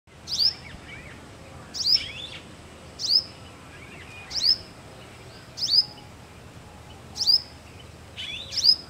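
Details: A male Purple Sunbird gives sharp, high, thin notes, each a quick downslurred chip, repeated about every second and a half against faint background hiss.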